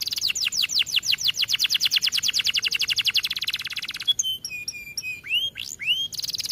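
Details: Caged canary singing, used for song training: a long fast trill of rapid repeated chirps, then a varied phrase of high whistles and upward-sweeping notes, then the trill returns.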